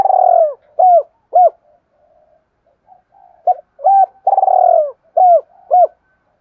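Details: Spotted dove calling, used as a lure for wild doves: loud, hollow coos near the same low pitch, a long falling coo followed by short clipped coos, in two phrases separated by a quiet gap.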